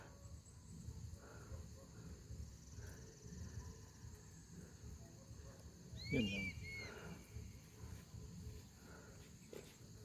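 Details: Philippine eagle on Mount Banahaw gives one short, clear whistled call with a downward slide midway. Quiet background with a faint low hum and light rustling.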